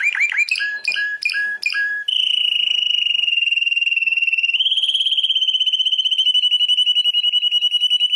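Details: A canary billed as a world champion sings four quick, bright chirping phrases, then a long, fast, even trill lasting six seconds that steps slightly higher halfway through.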